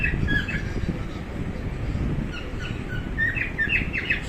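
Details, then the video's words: Household cockatiel giving a few sparse chirps early, then a quicker cluster of short, sharp tweets near the end, all set against a constant deep hum of background noise. "My cocktail making interesting sounds"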